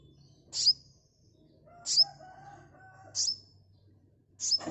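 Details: Sunbird used as a lure for fast response, ngeplong style: sharp, very high downslurred chips with a short whistled tail, given about every 1.3 seconds over a quiet low hum.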